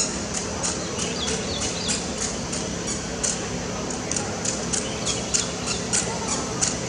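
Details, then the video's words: Superb starling singing and preening in Kuala Lumpur, 17 August 2024: a rambling chatter of sharp squeaks and clicks, about one or two each second, over a steady hiss of background noise. "Superb Starling - singing"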